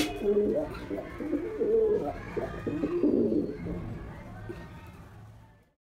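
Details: A male white domestic pigeon performs a run of low, burbling, throbbing coos over about three seconds, then the sound fades away into quiet.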